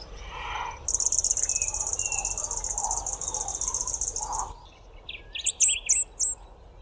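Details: A male red-collared widowbird sings from the top of a bush before flying off to find females: a high, dry sizzling hiss over a few seconds with softer wheezy notes beneath, then several sharp high chirps.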